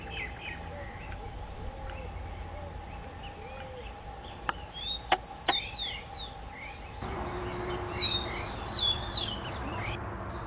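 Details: Rufous-collared sparrow singing: two bursts of high, thin whistled notes, sharply slurred downward, after a quiet start; a steady electrical hum and a few sharp clicks run through the background.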